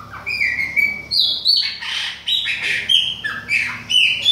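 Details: Chopi blackbird of Bahia style, autumn, with a youngster: repeated bursts of flat whistled notes and downward-slurred squeaky phrases, roughly two per second, loud and continuous.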